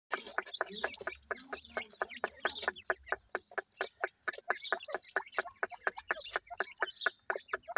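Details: Grey francolin (dakhni teetar) chicks while feeding: a dense run of sharp clicks, about two a second, mixed with thin high chirps throughout.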